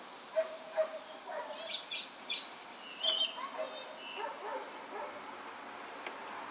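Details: A thrush sings a run of varied, clear whistled phrases, some low and fluty, others higher and trilled, over a light background hiss; recorded in Ancud, Chiloé, on 12 December 2016.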